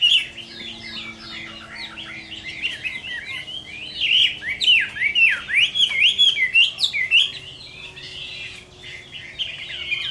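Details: Chinese hwamei delivering a fighting song on a summer midday, a rapid jumble of sharp whistled slurs swelling loudest in the middle, fading into softer warbling toward the end.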